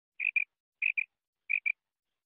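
A female quail gives three paired, clipped notes, each pair a quick high double 'quip-quip' about two-thirds of a second apart; nothing else is heard.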